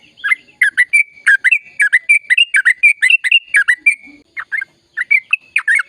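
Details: Sooty-headed bulbul in vigorous, long rolling song, used to stimulate silent birds to sing: rapid chattering notes dipping and rising around a steady whistled tone, about four per second, with a brief pause near the end before resuming.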